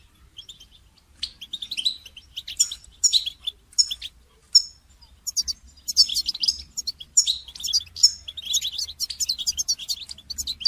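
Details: A goldfinch delivers a long twittering song for songbird training, starting with scattered chirps and building into fast, jangling, high trills and buzzy notes.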